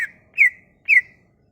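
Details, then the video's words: Cucak ijo (leafbird) song used as a lure for leafbirds that stopped singing: two loud, drawn-out whistles, each falling slightly and trailing off, about half a second apart. "Kicauan ini MAMPU memikat cucak ijo MACET bunyi"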